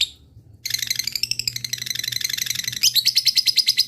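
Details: Lovebird ngekek song, used to call rival birds: after a short pause, a continuous shrill rattling chatter that breaks into rapid evenly spaced high ticks near the end.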